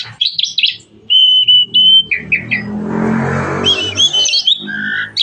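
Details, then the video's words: Starling song of clear flat whistles, squeaky chirps and brief trilled phrases, broken midway by a burst of rustling noise before the whistled notes resume. "burung jalak paling gacor"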